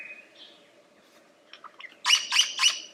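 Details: Lyrebird giving a soft whistle followed by three loud, harsh, broadband bursts in quick rhythm.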